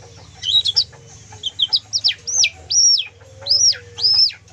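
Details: White-rumped shama that has just lost its spotted juvenile plumage, singing in full kriwikan style: quick high twittered notes, then loud ringing whistles sweeping up and down in arches, about six in four seconds. A faint low hum runs underneath.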